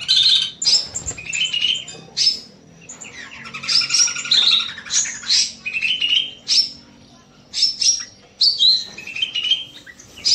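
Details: Loud, long evening singing from a bulbul kept in an aviary: dense bursts of high chirps, warbles and sharp whistled notes, phrases separated by brief pauses, with faint low hum beneath.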